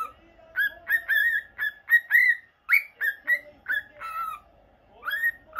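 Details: Captive normal lutino cockatiel kept as a pet, calling in quick whistled notes, each a short clear slur, repeated about twice a second, with one brief pause midway and a final rising whistle.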